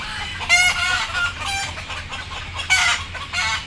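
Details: Frightened, sleepy chickens about to be loaded on board give short squawking clucks, a few sharp harsh calls rising and falling over a low engine-like hum.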